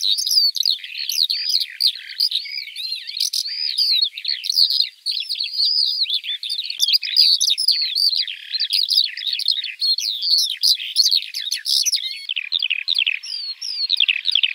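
A Eurasian Skylark pours out a long, unbroken stream of rapid, high warbling and trilling notes, bubbling and buzzy, with no pauses and nothing else heard.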